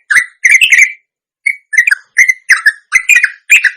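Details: Indonesian trucuk, or sooty-headed bulbul, performing a long ropelan lure: quick clusters of fluty, bubbling notes, a short silence, then paired and tripled chirpy phrases in a steady rhythm.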